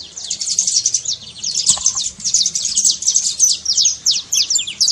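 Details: Continuous saffron finch trill of fast, high, clipped notes packed closely together, played to prompt a quiet canary to sing; a faint lower tone briefly appears near the middle.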